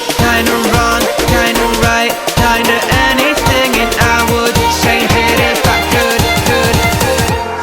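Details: Loud, steady rhythmic music with drums, percussion and singing, and no animal sound.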